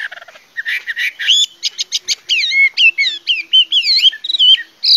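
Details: Chinese hwamei song: a few soft notes, then a fast stream of loud whistled phrases, many bent into rising-and-falling slurs, repeated about twice per second and varying throughout.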